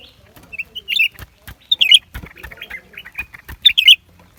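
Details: Lesser green leafbird singing: quick, scratchy chirped notes around the upper-middle range, clustering into brighter warbled bursts near one, two and four seconds, with soft clicks and faint rustling between phrases.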